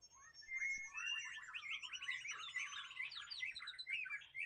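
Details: Dense, rapid warbling from a white-rumped shama in the wild, a continuous jumble of twittering notes rising and falling, fairly quiet, with faint low rumble beneath.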